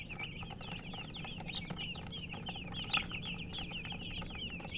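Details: Baby chickens cheeping in a lively chorus of bright, up-and-down chirps repeated several times a second, with a soft tap near the middle and a quiet low hum.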